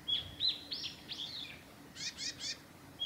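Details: Japanese tit in spring, 28 March 2020, along Hayatogawa forest road at Lake Miyagase, Japan: a whistled phrase with a swooping note, then three quick buzzy rasping notes, followed by another clear whistle.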